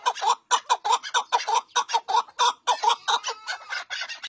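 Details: Chukar partridge calling with paired clucking chuck notes, evenly repeated about one and a half per second, loud and rhythmic with a faint tonal whine near the end.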